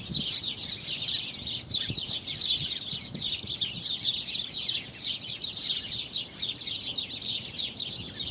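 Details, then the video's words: Numerous birds singing, dated February 24, 2020, a busy, continuous stream of high chirps and trills with occasional soft low taps. "Birds singing"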